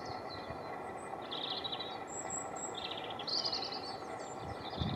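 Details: Common chiffchaff at Lower Halsdon Farm on 5 April 2020, singing short bursts of high, chipping notes in quick clusters with brief pauses between, against steady broadband background noise and a thin high whistle.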